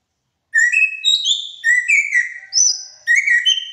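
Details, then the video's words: Greater racket-tailed drongo (srigunting batu), called a skilled mimic, singing clear whistled notes. Some notes rise, some fall, some hold steady. They come in bursts of two to four phrases with short pauses between. No other sounds are heard. "MERDUNYA SUARA SRIGUNTING BATU (Antena)"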